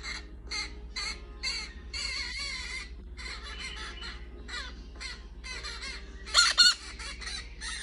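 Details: A pet orange-fronted parakeet watching YouTube videos gives harsh, raspy screeches in quick bursts, about two each second, with a louder pair near the end over a low steady hum.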